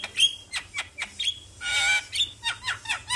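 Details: Javan myna (jalak kebo), a morning lure recording used to stir a quiet, reluctant bird into singing. Harsh, squawky chattering notes come in quick succession about every quarter second, with a brief clear whistle near the start and a loud rasping burst midway.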